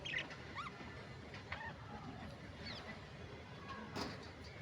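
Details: Budgerigar (Melopsittacus undulatus), warble.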